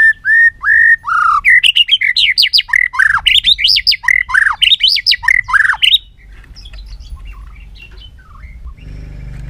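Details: White-rumped shama singing in training: steady whistled notes give way to a fast, loud sequence of steeply rising and falling swoops, repeated rhythmically for several seconds, then only soft distant notes.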